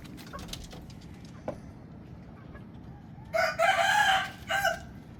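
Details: Rooster on a chicken farm giving a loud, raspy crow in two bursts, a longer one and then a short tail, after several seconds of low background noise with faint clicks.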